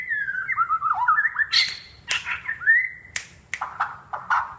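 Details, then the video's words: White-crowned shama in Sabah, Borneo: wavering whistled phrases that dip and climb, broken by harsh sharp clicks and a few short scratchy notes at irregular intervals. "Murai batu Sabah Borneo - menunjukkan aksi & suara"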